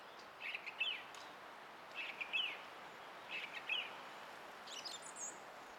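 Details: Song thrush singing on 20 April 2016: a short whistled phrase repeated three times, about once a second, each ending in a quick upward flourish, then a fainter, higher note near the end, over steady background hiss.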